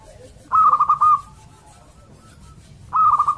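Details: Male local zebra dove calling to a female: two soft, rolling trilled coos, each under a second long, separated by a pause of about two seconds.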